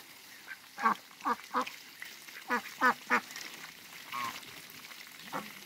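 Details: A couple of Muscovy ducks in a backyard kept with other waterbirds. A run of loud, harsh, nasal quacks comes in quick bursts, then scattered fainter calls over a steady background hiss.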